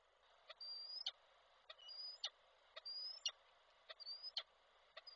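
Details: Calling male peregrine falcon carrying a prey gift for the female, recorded in Koszalin, Poland, 16 February 2024. High thin whistles rise gently, about once a second, interleaved with loud dry ticks and taps.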